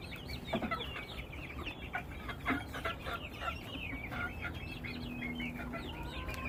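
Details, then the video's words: Many chickens together make a busy chorus of short, downward-sliding high peeps overlapping continuously, with a brief steady tone near the end. "Beautiful sounds of our flock !!"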